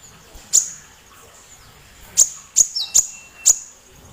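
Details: Loud little sunbird (kolibri) used to provoke magpie-robins and other birds to sing. Isolated, very high, snapping chirps ring out, one early and then four in quick succession about half a second apart.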